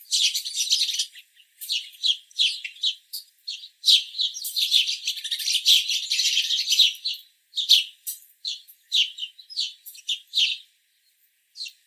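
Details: Many house sparrows in a backyard chattering at once: a dense, almost continuous stream of overlapping chirps for several seconds, thinning to scattered single chirps.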